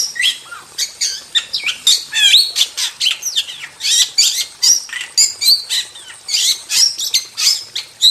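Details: Jalak, a wild starling, singing nonstop in masteran style: a varied stream of high squeaky whistles, buzzy chatter and slurred notes, mostly very high-pitched, bursts coming several per second.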